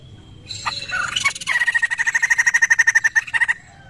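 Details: Poksay laughingthrush call meant to make birds respond: a few rough opening notes followed by a two-second run of rapid, regular, buzzy pulses that stops abruptly.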